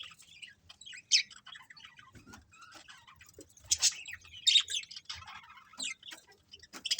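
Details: Several colourful budgerigars of a colony trade quick, high tweets and squeaky chirps, scattered irregularly with a few louder sharp notes.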